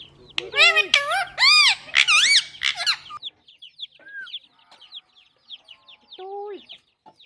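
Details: A pet ringneck parrot talking in Sindhi in a clear voice. The first three seconds hold harsh, arching, strongly harmonic vocal sounds in quick succession. After that come faint scattered chirps and a few short, level notes.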